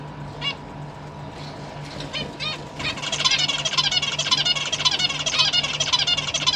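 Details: Captive zebra finches, a big family with fledglings being fed by their parents, December 2023; a few separate nasal calls at first, then a continuous, busy chorus of rapid buzzy calls over a steady low hum.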